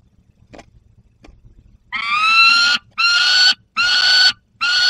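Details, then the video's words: Juvenile peregrine falcon clutching prey, Barycz Valley, 30 August 2022. Quiet faint background noise at first, then four harsh, buzzy, slightly rising wails, each under a second. "Młody Zdenka z łupem i Borek 30 08 2022 Dolina Baryczy sokoły wędrowne"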